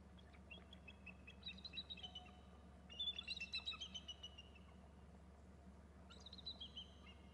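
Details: Two eagles calling as they land on a perch after flying in from the left: three bursts of thin, high, piping notes in quick chittering series, the middle burst loudest, over steady low background hum.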